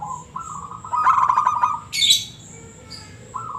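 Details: Zebra dove of a local strain in ngebrem voice style, giving a steady cooing note that breaks into a quick pulsed roll, with a brief sharp high rasping noise after it.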